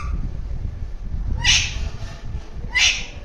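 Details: Alexandrine parakeet making different sounds: two short harsh squawks about 1.3 seconds apart, loud and broadband, over a low background rumble.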